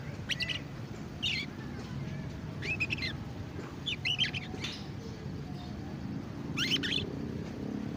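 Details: A young canary practises its first song with repeated sharp, buzzy chirps in short clusters about once a second, some rising in pitch, set against a steady low rumble.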